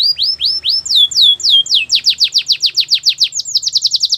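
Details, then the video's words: Training song of a canary, sung to woo other canaries: clear swooping whistled notes, rising at first and then dropping, speed up into a quick, tight series of falling chips near the end. "Fantastic canary song to woo all the canaries | The best canary training"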